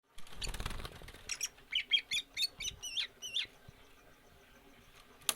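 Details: Greater green leafbird recorded for stamina training without free-flight exercise, to lengthen its breath. After a burst of rustling, it gives a run of about eight short, rising-and-falling whistled notes, then goes quiet with a click at the end.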